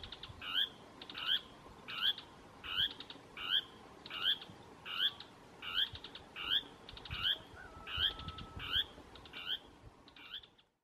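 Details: A Dusky tapaculo gives its typical song on Isla de Yáquil, Santa Cruz, O'Higgins Region: a steady run of about fourteen harsh, buzzy phrases, each tipped with a sharp high note, roughly one every three-quarters of a second, over faint hiss.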